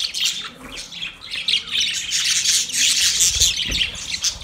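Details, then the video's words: Budgerigar calling another budgie, a busy stream of scratchy squawks and bright chirps running together, louder harsh bursts toward the end over a faint low hum. "Budgie sound when call other Budgie"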